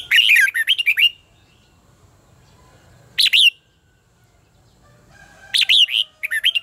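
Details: Red-whiskered bulbul delivering competition song for singing training. Three loud bursts of chirpy, swooping whistled notes, the first and last longer and the middle one brief, separated by near silence.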